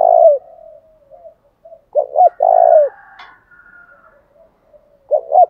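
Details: Lure call of a spotted dove meant to stir rival doves into fighting: clipped double notes, then a sustained coo with a dropping tail. The phrase comes back regularly, with a faint higher rasping sound in between.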